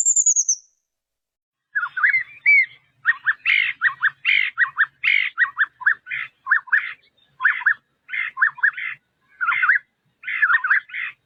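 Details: Chestnut-vented nuthatch calling: one high thin note, a short pause, then a steady series of short, sharp, chirpy notes in tight clusters of two to four. The calls continue for about nine seconds against a quiet background.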